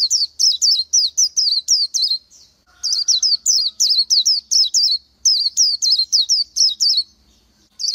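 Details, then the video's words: An Oriental white-eye gives quick bursts of high, sweet, slurred chirps in rapid series, broken by short pauses between phrases. A faint lower whistle is briefly audible. "Chim hót hay Vành Khuyên họng vàng đông dương | นกแว่นตาขาวสีทอง| Oriental White-eye"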